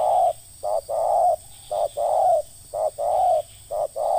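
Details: Spotted dove 'ngeruk' call in a trapping-lure setting: rapid series of deep, hollow coos, short notes alternating with longer ones, about one per second and fairly steady, with no other clear sounds.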